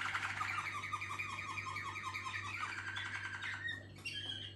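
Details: Malinois Waterslager canaries from a singing team: dense, fast rolled trills with repeated dipping notes, ending in a sharper whistled phrase, a constant low hum underneath.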